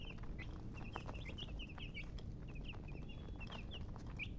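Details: Chicks of the domestic chicken give repeated short, high, slurred peeps in loose irregular series, with a constant low-pitched rumble underneath throughout.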